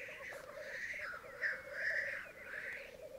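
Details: On a Mykland bog at a May morning lek of twelve male and two female black grouse: pulsing low bubbling under a drawn-out rasping, wavering hiss lasting most of three seconds.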